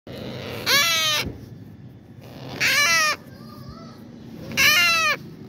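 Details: African grey parrot chick giving three harsh, raspy rising-and-falling squawks about two seconds apart over steady background hiss and hum.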